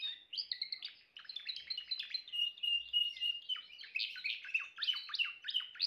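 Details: Timbrado canary singing a continuous, fast run of high chirped notes, mostly repeated trills with short whistled stretches, rolling on for about six seconds without pause.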